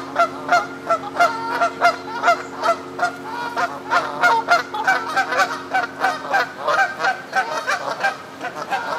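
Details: A flock of Canada geese on the South Pond in Midhurst, West Sussex, England, honking, loud nasal honks overlapping about three per second, over a faint steady low hum.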